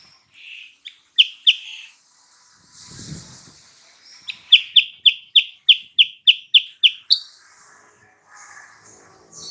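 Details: Sooty-headed bulbul lure recording meant to provoke a rival bird into answering: a bright repeated note series, sharp chips at a steady pace, broken by a brief rustling noise, then a run of about ten quick notes.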